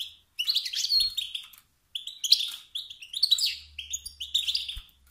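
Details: Wild male European goldfinch giving stimulating 'sts-sts' and 'bt-bt' calls that rouse rival males to sing. Bright, tinkling twitters come in three bursts with short silent gaps, and faint low thumps sound underneath.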